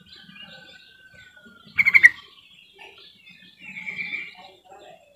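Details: Yellow-vented bulbul calling to make silent birds join in singing: one quick burst of four bright bubbly notes mid-clip, with a thin drawn whistle before it and a softer warbled phrase afterwards.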